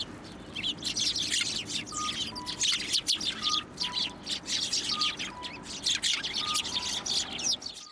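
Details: Hand-fed sparrows at a Tenmangu shrine on New Year's Day 2024 produce a thick chorus of bright chirps, while a steady two-note whistle, higher then lower, repeats about every 1.5 seconds beneath them.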